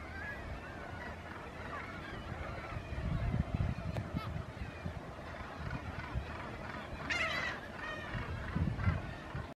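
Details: Black-legged kittiwakes at Bempton Cliffs, collecting nest material, keep up a constant din of overlapping nasal, wailing calls, one loud harsh call standing out, over low wind or surf rumble.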